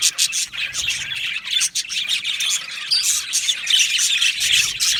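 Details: Colony of budgerigars chattering in an aviary, a dense mix of rapid twitters, squeaky chirps and warbled phrases, steady and lively for the whole stretch.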